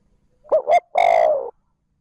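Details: Single phrase from a spotted dove decoy calling 'trơn ròng' to rouse wild doves: two short rounded coos in quick succession, then a longer steady coo fading at the end.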